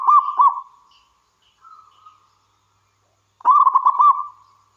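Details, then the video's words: Local wild zebra dove singing to coax other doves to call: a rapid rolling coo phrase, a faint soft trailing note, then another vigorous burst of quick warbling coos after a pause. "Suara Burung Perkutut Lokal Gacor"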